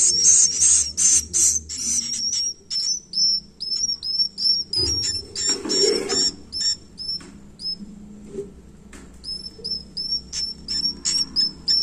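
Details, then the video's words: Swiftlet chicks begging: loud hissing bursts at first, then a long series of thin, high, downslurred chirps roughly three per second, broken midway by a brief rustle or thump. "suara anak piyik burung walet"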